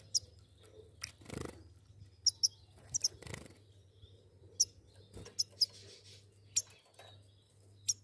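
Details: A pair of goldfinches giving short, sharp high chirps scattered irregularly through the clip, some doubled, with soft clicks and a steady low electrical hum behind.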